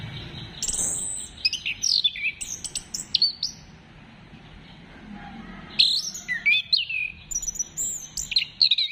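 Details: Orange-headed thrush song played to encourage birds to sing: varied, rapid whistled phrases with sharp clicks and slides, a quiet gap of about two seconds, then another energetic burst of high warbling.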